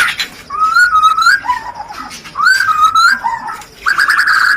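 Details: Rencetan-style song of a white-rumped shama, played to arouse breeding urge: smooth, level whistled phrases, each dropping to a lower note, repeated twice, then a rich warbling ending.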